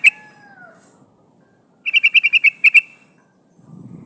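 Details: Female sooty-headed bulbul calling for a male, played as a lure to trap wild birds: a rapid run of about eight harsh chattering notes, preceded by two soft descending whistles and followed by a low rumble.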